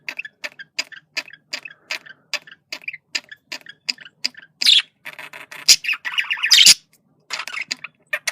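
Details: Male budgerigar making communication sounds: a string of dry, evenly spaced ticks about once a second, then loud scratchy squawks and a buzzy warble toward the end.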